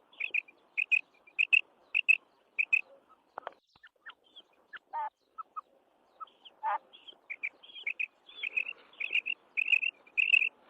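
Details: Calls of a female quail: crisp high doubled chirps in rhythmic bursts, a middle stretch of sparse lower rasping notes, then steady runs of paired chirps again.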